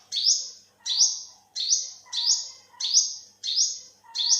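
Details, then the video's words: Seven quick, high upslurred notes in four and a half seconds from an olive-backed sunbird, 2021. Each note is a sharp, thin sweep with a short ringing tail. A softer lower chirping bird is heard between notes. "เสียงนกกินปลีอกเหลือง Olive-backed sunbird, Yellow-bellied sunbird"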